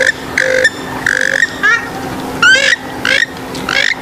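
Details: Swamphen or moorhen calls for attracting birds: drawn-out, nasal, grunting notes alternating with rising, harmonic squeals, about one call every half second, over a steady low hum.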